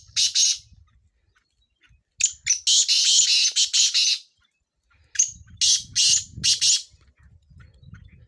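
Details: Black francolin, the Sindhi kala tetar, calling for chakree training. Harsh, buzzy bursts run together into a long grating phrase, then fall silent. A second phrase of spaced rasping notes follows, with low rumbling noise underneath.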